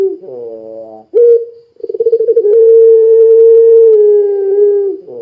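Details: Low layered notes, a short coo and a pulsed roll lead this puter pelung dove, a lure bird for getting other doves calling, into a long steady coo that slowly falls at the end.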